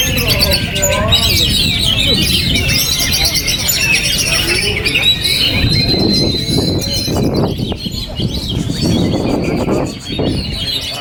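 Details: Oriental magpie-robin, a kept bird, singing on through strong wind: a dense stream of high, varied chirps, whistles and trills, partly masked by loud, steady low wind roar.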